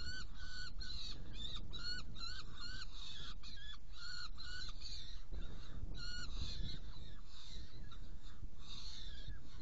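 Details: Saker falcon in Hungary on 16 June 2018 at 18:57, during prey delivery and feeding of two young: rapid runs of short, nasal, harmonic-rich calls, about three per second, with a brief gap midway, over a constant low rumble.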